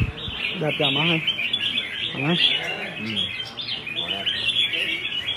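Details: Red-whiskered bulbul singing in a Vietnamese song-competition setting: bright chattering warbles and quick whistled phrases run without a break, over background music, with a man's voice breaking in briefly near the start.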